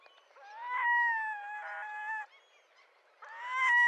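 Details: Long, drawn, cat-like wailing notes from a red-throated diver, steady and slightly rising, two extended cries separated by a second of near silence.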